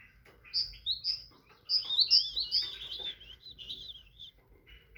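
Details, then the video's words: Tit singing, likely caged indoors: clear high whistled phrases with rising and falling slurred notes, bursts of rapid sweet notes repeated over several seconds, with a low background hum. "تغريد طائر الحداد(القرقف) مبدع تبارك اللهchant de oiseaux messange"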